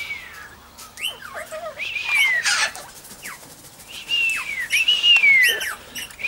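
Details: Major Mitchell's cockatoo at Junee Tourist Park, Australia, recorded 5 June 2015 while dancing, with an eastern rosella joining in; drawn-out, wavering, upslurred then falling screeching calls separated by short gaps, with quieter sharp notes.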